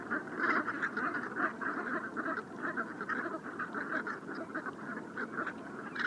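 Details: Wintering brent geese on the Bassin d'Arcachon, France, at dusk on a rising tide, settling after being flushed by a passing boat, recorded with a parabolic microphone; a dense continuous murmur of overlapping low nasal calls from a large flock.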